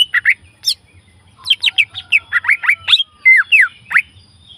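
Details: Green leafbird in the wild pouring out a varied song of sharp down-slurred whistles and chirps, mostly quick single notes with a brief pause early and a dense cluster of phrases in the second half.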